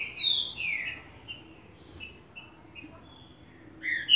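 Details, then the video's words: Green-winged saltator singing in the bacural and "Bom dia seu Chico" song styles: loud clear whistled slurred phrases, then short spaced notes, and a final rising whistle, against a quiet background. "Trinca Ferro BACURAL x Bom dia seu Chico"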